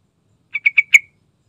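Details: Gacor lure song from a yellow-vented bulbul: one crisp phrase of four bubbly chirps rising slightly in loudness toward the final note.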